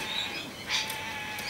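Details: A wild, just-fledged Sulphur-crested Cockatoo at Cromer, Sydney, begging parents for food, gives a single short, harsh, raspy screech over a steady faint background hum.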